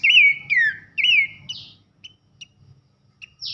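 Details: Three loud ringing whistles, each dipping and swooping, from a pelanduk semak, or Horsfield's babbler, in nembak nyiul style for training songbirds, followed by sparse short chips and a final buzzy note.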